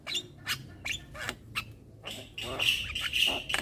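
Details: Young black-winged myna in nonstop song with head-bobbing: sharp clicks and raspy notes give way to a loud, sustained harsh screech with a steady whistled tone through the last second.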